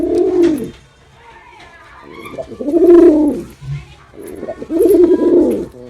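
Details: Male pigeon in a cooing performance: three loud, low, arching coos with a throaty warble, spaced by short pauses with faint background rustle.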